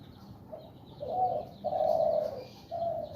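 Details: Zebra dove in breeding condition, kept in a woven bamboo cage and stroked by fingers, giving soft bekur coos: a faint short note, then three fuller mellow coos, the middle one longest.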